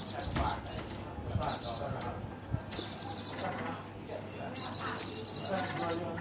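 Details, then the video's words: Oriental white-eye, "dakun" song: several bursts of quick high-pitched trills in close succession, each about a second long, over a steady low hum with faint voices mixed in. "pleci dakun"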